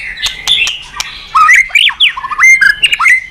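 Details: White-rumped shama singing as a training recording meant to provoke other birds into song: loud, varied whistles, slurred rising and falling phrases and sharp clicks, delivered rapidly.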